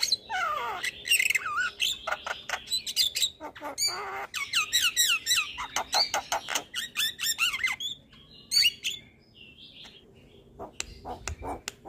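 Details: Caged Javan myna, training recording to prompt lazy birds to sing: long outpouring of harsh squeaks, swooping whistles and rapid grating chatter, thinning to scattered clicks in the last seconds.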